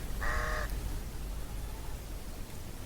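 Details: Somali crow giving a single short, harsh, nasal caw that stops abruptly, followed by quiet background hiss.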